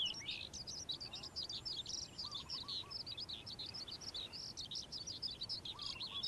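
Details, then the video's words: Sustained morning singing of a calandra lark, a busy, high-pitched medley of twitters and buzzy chirps, with faint lower chattering notes from another bird in the background. "Calandra Lark Bird Singing In The Morning"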